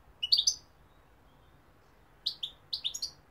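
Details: Goldfinch giving two short clusters of clear, high chirping notes, four or five quick tweets each, separated by a silent stretch of nearly two seconds.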